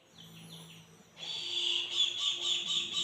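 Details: Brahminy kite calling when hungry: faint tonal sounds at first, then a loud series of nasal, high-pitched notes with rich overtones, repeated about four times a second in an even rhythm.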